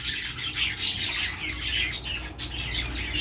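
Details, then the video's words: Short burst of budgerigar chirping: quick, overlapping squeaky twitters and whistled notes forming a busy flock chatter, over a soft low background hum. "budgies sounds | parakeet chirping sounds"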